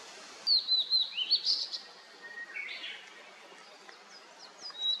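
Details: Blue-and-white flycatcher song in a mountain where mist rises after rain, among other small birds: clear high whistled notes in a rolling phrase, then softer lower notes and thin upslurred chips near the end.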